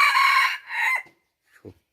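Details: Decoy red junglefowl rooster, recorded in 2021, giving a loud, harsh crow of about one second in two parts: a long sustained opening, a short dip, then a rising-falling end note. A faint low cluck follows in otherwise quiet surroundings.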